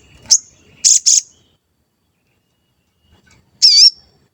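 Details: Sooty-headed bulbul lure recording: a short sharp chirp, two quick bright chirps, a long quiet gap, then one loud, high, wavering whistle.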